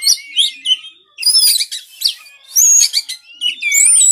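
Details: White-rumped shama song used as a training recording for lazy caged birds that will not sing: bright whistled phrases and rapid varied chattering notes in short bursts separated by brief pauses.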